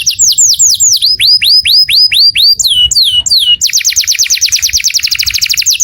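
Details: Calling to a companion, a saffron finch gives a row of spaced rising-and-falling slurred whistles, then a few downward-swept notes, breaking into a quick, dense trill of bright chips; faint low rumble underneath.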